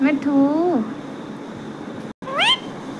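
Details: Pet parrot vocalizing playfully: a drawn-out wavering nasal call sliding down at the end, a short pause, then a rising squawky note; a person's voice is heard just before.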